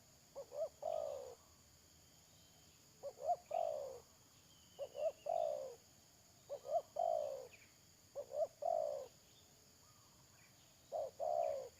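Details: Decoy spotted dove used in trapping, 31 May 2022, repeats its phrase about every two and a half seconds: two or three short soft coos leading into a longer falling croon, five phrases in all, with a constant high background whine.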